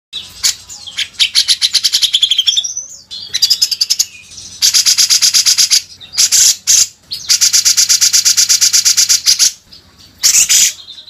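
A Grey-cheeked Bulbul pours out long bursts of fast, high, rattling notes, with brief pauses between bursts and no other sounds.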